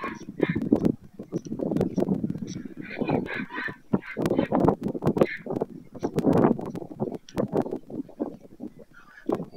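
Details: Loud, dense, honking white stork calls at Madrigal de las Altas Torres, Spain, 25 July 2024, end of breeding season. Coarse bursts overlap with higher nasal notes and sharp clicks throughout.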